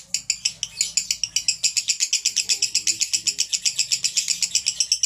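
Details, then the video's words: Male lovebird konslet song: continuous rapid high chatter, about four pulses a second, over a faint low hum. "Love Bird jantan Konslet."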